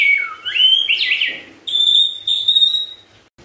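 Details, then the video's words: White-rumped shama song, used as a lure to get other shamas singing: clear high whistles sliding up and down, then two long steady ringing whistled notes separated by a short pause, over a faint low background hiss. "SIULAN MURAI BATU INI SANGAT EFEKTIF SEBAGAI PANCINGAN MURAI BIAR GACOR"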